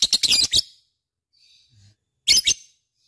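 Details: Lovebird making short bursts of shrill, scratchy chirps. A first cluster of four or five notes is followed by a near-silent gap, then a second brief cluster.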